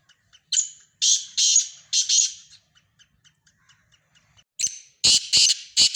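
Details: Black francolins give harsh, grating, high calls in two bursts of several rapid scratchy notes, separated by a few faint clicks.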